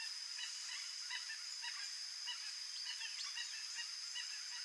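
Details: A Chestnut-bellied Guan (Penelope ochrogaster), a rare wild bird endemic to Central Brazil, giving a quick run of short, nasal honking notes, several a second, over a steady high insect whine.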